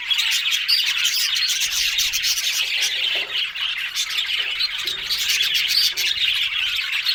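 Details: Budgerigars chattering loudly and continuously, a dense mix of buzzy warbles, thin whistled squeaks and quick chirps.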